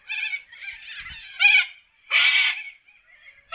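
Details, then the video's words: Corellas screeching in an Australian forest, with nasal squawks leading to two very loud, harsh, broad screeches separated by short quiet gaps and a further call cut off at the end. "WILD PARROTS sound - Australia nature - Corella bird in forest"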